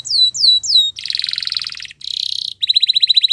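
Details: Three swooping high whistles from a Belgian canary, then a loud rattling buzzy trill, a brief break, another buzzy burst, and a final crisp, evenly spaced rapid trill.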